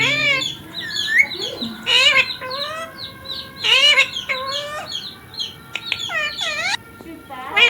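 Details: A ringneck parrot said to talk, with words like mummy and papa. It gives uneven bursts of harmonic chatter and high, sweeping chirps, some loud and some soft, through the recording.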